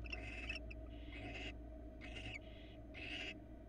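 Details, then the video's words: Barn owls at a Florida nest camera, a female with her two nestlings receiving a small mouse, eggs laid January 2022: harsh, hissing screeches in four broad bursts, some doubled, over a steady low electrical hum. "Small mouse for the female and her two babies in Barn Owl Florida Cam 1"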